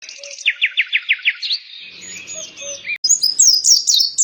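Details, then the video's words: Mountain white-eye song: a run of six quick downslurred notes repeated evenly, then thin high whistles and a fast jumbled twittering burst at the end. "Terapi Burung Pleci Dada Putih Gacor | Masteran Pleci Montanus"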